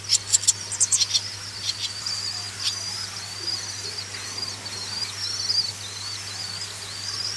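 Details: Nestling swallows being reared give a brief flurry of high, hissy begging chirps, followed by a long, thin, wavering twitter, all over a steady low hum.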